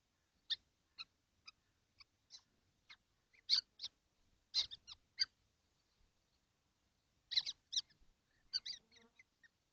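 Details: Seven kestrels in their nesting box on a hot day, 12 June 2025, make short calls about every half second, then denser, louder clusters of rasping notes.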